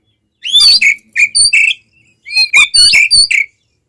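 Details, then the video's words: Oriental magpie-robin fighting song used to rouse other magpie-robins: two bursts of varied whistled and squeaky notes, rising slurs and short buzzy syllables, separated by a pause. "SUARA BURUNG kacer gacor TARUNG konslet ini paling AMPUH buat PANCINGAN KACER agar EMOSI"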